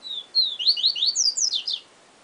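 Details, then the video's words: Yellow-bellied seedeater (papa-capim) singing the song style known as 'Siu Siu Professor': two high slurred whistles dropping in pitch, then a fast run of rising sweeps and steep descending notes, one clean phrase. "Papa Capim Siu Siu Professor"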